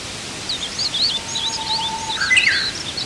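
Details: Rosy pipit (Anthus roseatus), a vagrant seen in spring on Oeyeondo island, Korea, calls: thin, high chirps overlapping in quick succession, then a louder, sharper note near the end, with a faint steady hum beneath.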